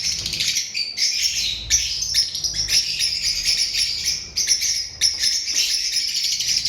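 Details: Lovebirds giving dense shrill chirping and squeaky chatter, sharp high notes repeating rapidly and overlapping throughout, loud and close.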